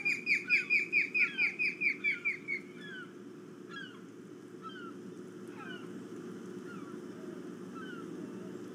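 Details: Ospreys flying around at dawn before one lands on a perch, early on 5 August 2017: a rapid, loud series of about a dozen piercing downslurred whistles, then softer scattered chirps over a constant low background drone.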